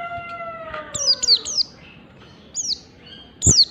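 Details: Mountain white-eye's 'ngalas' song of thin, high descending whistles following the end of a rooster's crow, with a louder note closing.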